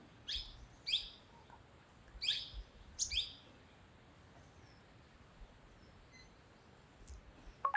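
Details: A sunbird in Dehradun, Uttarakhand, gives sharp, high chipping notes in small bursts, five in the first three seconds, then a lone chip near the end over a quiet background.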